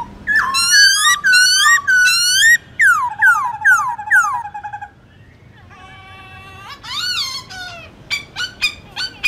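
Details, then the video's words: Varied morning song of a black-throated laughingthrush in forest style: strong repeated wavering whistles, a run of four falling slurs, a quiet steady tone, then upward sweeps and sharp short notes. "Khướu bạc má hót giọng rừng Đảo giọng buổi sáng cực hay"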